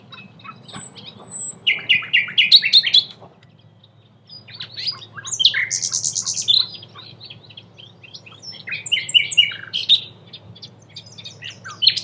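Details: A common nightingale (Luscinia m. megarhynchos) sings rich, varied phrases of rapid chattering trills, sharp high whistles and pure piping notes, broken by brief pauses, with a low steady hum behind; Cattenom, France, May 2016.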